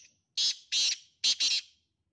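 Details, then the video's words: Black francolin calling: four harsh, grating, scratchy notes in two pairs, the second pair quicker, high-pitched with no low tones, over a quiet background. "kala tetar ki awaz"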